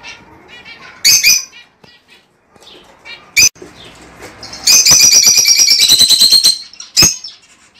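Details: Lovebird chatter used to get a bird to mate: isolated sharp screeches, then a long rapid run of harsh, buzzy chattering notes, ending with one more shriek.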